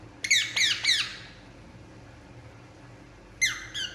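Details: Harsh, falling squawks from a relaxing Indian ringneck parakeet in a small room: three quick notes at the start, over two seconds of near silence, then two more calls near the end.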